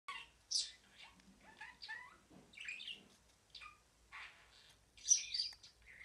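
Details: Pet budgerigar singing: a chattering warble of short chirps, buzzy notes and rising whistled slurs, mostly high-pitched, with a few louder squeaky bursts near the end.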